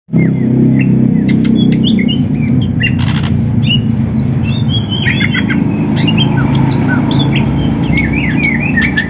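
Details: Greater green leafbirds of Banyuwangi and Sumatra types, kept birds in the morning, trained for song contests and seeking a rival: scattered sharp whistled slurs and chips over a steady loud low hum and rumble.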